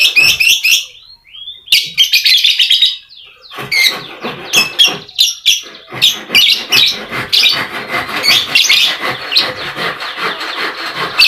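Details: Lovebird chattering song meant to prompt quiet lovebirds into singing: dense, continuous shrill twittering and rasping notes in rapid succession, with a brief gap near the start.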